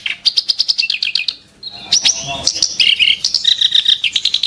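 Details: Sharp, harsh song of a kerak basi (clamorous reed warbler): a rapid series of about ten high chips, a brief pause, then louder scratchy, slurred phrases and a closing run of fast chips.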